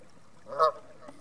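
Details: One short, nasal honk from geese at North Third reservoir near Stirling rises briefly out of a quiet background.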